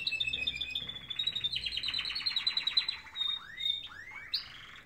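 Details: Morning singing of canaries, opening with fast trills and buzzy rolled phrases, then a held whistle and several quick rising sweeping notes near the end.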